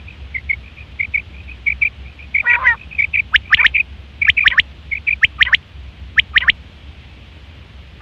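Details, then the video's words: Quail in September 2023, a hunting and mating call: soft repeated chirps open, then crisp three-part call phrases follow roughly once a second, with a low hum underneath. "Quail fresh sound sep 2023/ batair ki awaz"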